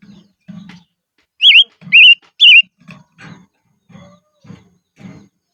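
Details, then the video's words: Silver-eared mesia kept as a decoy, singing in the highlands: three loud looping whistles in a row amid repeated soft low thumps and scratchy rustles. "Chim Ngũ Sắc Mồi Hót Trên Vùng Cao"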